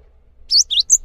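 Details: Cinereous tit (gelatik batu) singing gacor-style, calm, used as a tutor recording for training other songbirds: three sharp high chirps, each a quick whistled slur, sounding after a short silence.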